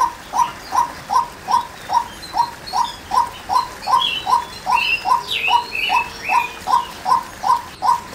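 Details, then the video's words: A female white-breasted waterhen calls with a rapid, regular series of short notes, about twenty in eight seconds, while other birds add sliding chirps in the middle. "Chim Cuốc Mái Kêu"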